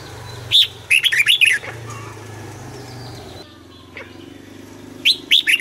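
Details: Caged decoy red-whiskered bulbul singing in the morning to provoke other bulbuls, in a prized double-note wild-style song: short bright warbled bursts, one single note, then a quick cluster, a pause, and another brief burst, over low engine hum.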